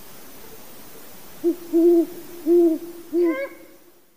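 A great horned owl gives a deep, soft hooting series: a short note, two longer drawn-out hoots and a final one, all low and muffled, over a quiet background.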